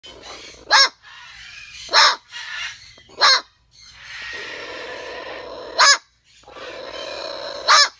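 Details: Pet parrot trying to scare the neighbours, giving loud harsh screeches about five times, between which a person's voice murmurs urging it on.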